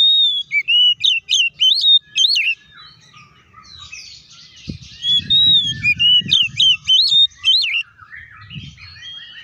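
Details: Kacer, the oriental magpie-robin, delivering vigorous fighting-style song meant to provoke other birds: rapid series of clear whistled notes, zigzagging up and down, in two long bursts separated by a brief pause with low background rumble.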